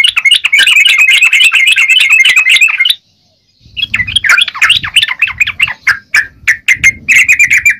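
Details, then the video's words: Trucukan or yellow-vented bulbul singing energetically: about three seconds of fast, steady chattering, a pause, then looser bursts of sharp chirps and slurred notes spaced irregularly; low rumbling noise underneath the second part. "Burung trucukan gacor..!!"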